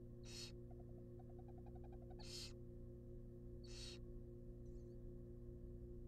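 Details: Wild barn owl babies being fed a rabbit inside a research nest box: three rasping, breathy hisses, with a rapid series of soft ticking or chittering notes between the first two, all over a continuous low hum.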